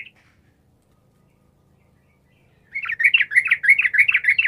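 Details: Sooty-headed bulbul in full chatty gacor song, a lure for silent bulbuls to answer. A brief note opens the clip, then nearly three seconds of quiet, then a fast, dense stream of bubbling, tumbling notes.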